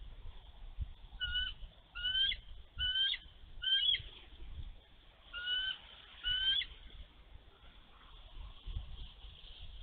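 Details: Snowy March 11, 2023 in Minnesota: a female bald eagle, wings spread over her nest, defends her egg against an intruding young eagle with a run of four quick piping whistles, a pause, then two more, light wind underneath.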